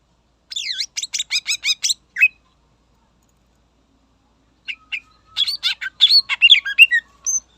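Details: Lively greater green leafbird song used to stir up rivals: a fast series of sweeping high chirps, a silent stretch, then a dense, chattering jumble of squeaky, buzzy and whistled notes.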